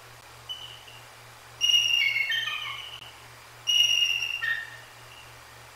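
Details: Bald eagles (female DNF and her mate) at the Decorah North nest, 2 January 2024, calling after a Great Horned Owl struck the sleeping female on her perch: two bursts of high, thin, chittering whistles, each about a second long, over a steady low hum.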